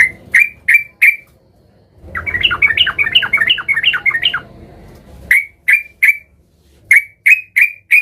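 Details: Sooty-headed bulbul singing in an agitated mood while seeking a rival. Harsh squawky notes come in short runs, then a bubbly warbled phrase of about three seconds, then more single clipped notes.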